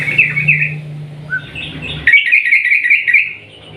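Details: Short bubbly phrase from a sooty-headed bulbul in long 'ropel panjang' style, used to provoke other bulbuls to sing; a warbled run, a lone whistle, then a bright rippling sequence of quick notes.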